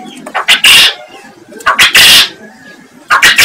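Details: Loud, close quail calling made for training other birds: short, clipped, rasping bursts in pairs, with a faint whistled tone inside each burst, repeated about every 1.2 seconds.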